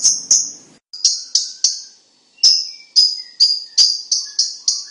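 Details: Cucak cungkok kept as a song tutor for competition birds, its voice described as loud and dense; high sharp chirping notes repeated in quick bursts with short pauses.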